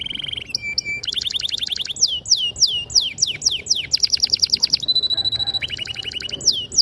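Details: Canary belting out a long, clear training song to coax young canaries into singing: shifting phrases of rapid pulsed trills, sweeping downward whistles and steady tonal notes, changing every second or so.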